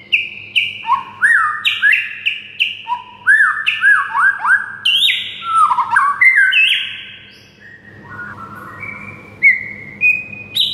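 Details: White-rumped shama master song: a run of clear descending whistled notes repeated in quick succession, then longer drawn-out slurred whistles, over a steady low background hum.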